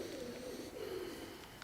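Pigeons give soft, low, throaty coos that roll and waver over a quiet room.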